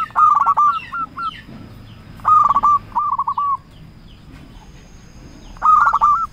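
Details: Local zebra dove singing a lure call meant to draw answers from rival birds: three rolling coo phrases a few seconds apart, the first two trailing into short separate coos, with faint chirps from other birds.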